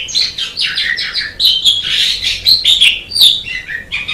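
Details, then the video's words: Tutor song of an Asian pied starling. Dense scratchy chatter runs into sharp whistled upslurs and short squeaky notes, delivered rapidly and without breaks. "MASTERAN JALAK SUREN MEMANG SANGAT BAGUS SUARA KICAUNYA"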